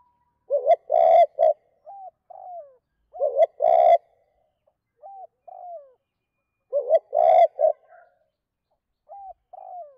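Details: Repeated two-phrase (2 cốt) spotted dove calling used to rouse wild birds: three phrases, each a harsh triple coo followed by two gentle descending notes, roughly every three seconds.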